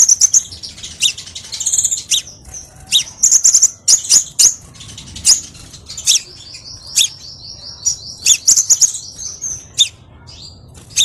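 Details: Crimson sunbird song used as a lure for training other birds: high, thin twittering chirps and sharp ticks in quick bursts, with a long buzzy trill near the middle, all very high-pitched over a quiet background.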